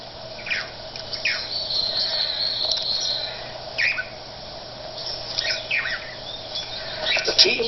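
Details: A male swallow-tailed (blue) manakin, team captain, gives short, sharp whistled notes to summon other males for a cooperative courtship dance display. Some notes rise and some fall, spaced irregularly every second or two, with a man narrating over them.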